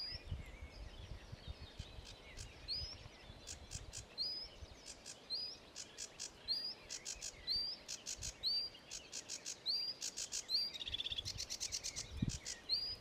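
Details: Sedge warbler in song at Ilmatsalu, 26.05.2017: a long, varied stream of scratchy chattering notes broken by short rising whistles and brief buzzy trills, delivered in bursts with small pauses, faint low rumble underneath.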